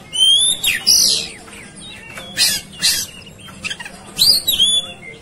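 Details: Fighting, raging Oriental magpie-robin in 'tarung konslet' style: bright whistles run into loud harsh rasping bursts, repeated roughly every second, with a final flurry of buzzy notes and slurred whistles.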